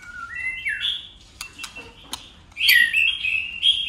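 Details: A white-rumped shama sings a contest song and keeps changing its voice. A rising whistle gives way to quiet clicks, then a loud rich warbled phrase bursts in.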